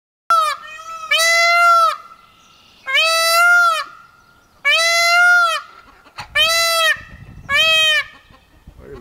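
Peafowl giving loud, nasal, wailing calls, about five in all, some paired as a short note then a longer drawn-out one, a second or two apart.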